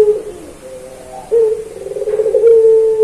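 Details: Puter pelung Barbary dove in a master recording for training captive doves. Soft, low cooing builds into a louder steady drawn note with a faintly pulsing middle section.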